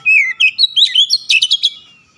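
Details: Kacer, or Oriental magpie-robin, in loud gacor ngotot song, bongkar isian: a clear falling whistle, then rising and twisting whistled notes that quicken into a rapid run of sharp chips before fading.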